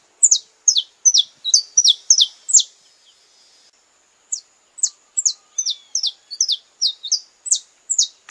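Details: A saffron finch sings during courtship: a rapid series of sharp, high, down-slurred chips, about three per second, pausing briefly midway before resuming.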